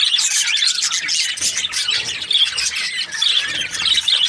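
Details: Happy budgerigars chatter nonstop: scratchy high twitters and squawks with a few clear whistled notes toward the end.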